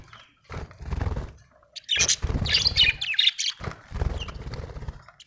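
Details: Budgie chirping, with high squeaky warbled notes mixed with loud low thuds and rumbling handling noise throughout.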